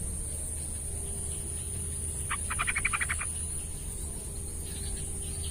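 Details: Yellow-vented bulbul, known locally as trucukan, used to coax a bird that rarely sings: a single lively phrase of fast, bubbling, chortled notes lasting about a second, then quiet over a high steady tone and low hum.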